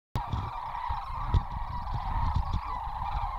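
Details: Sandhill cranes in Kispiox, spooked into taking off and circling, give a steady chorus of rolling, trumpeting calls that overlap without pause, over heavy low thumping and wind rumble.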